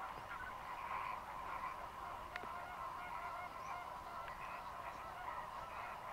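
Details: Huge migrant flock of Greater flamingos fishing on Mannar Island lagoons, Sri Lanka, dry season, rain about: an unbroken wash of honking calls from countless birds, with one faint click.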